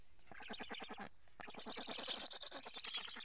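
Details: Black storks at a nest in Karula, Estonia, filmed by a live nest camera on 8 July 2017 as an adult brings fish. Rapid rasping, nasal pulses run in fast bursts with a brief pause near the first second.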